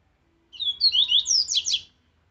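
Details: Rusty-collared seedeater in captivity singing the aggressive Viviti Zel Zel song used for training: a rapid sequence of sweet whistled slurs rising into harsh buzzy notes, about one and a half seconds long.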